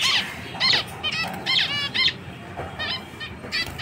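Zebra finches give nasal, toy-trumpet-like beeps, about a dozen short honks in four seconds, some overlapping, over a low steady background hum.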